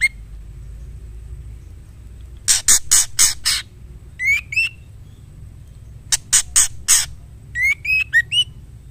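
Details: A female white-rumped shama calls to draw out the male. Rapid harsh rasping notes are followed by quick rising whistled slurs, and the whole pattern repeats twice over a constant faint high-pitched hum.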